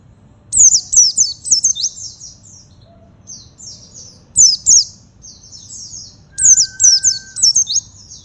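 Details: Oriental white-eye singing in a style called buxto forest mode: bursts of rapid, high, thin twittering with quick sliding notes, in three phrases about two seconds apart, with a soft steady whistle near the end and a low background rumble.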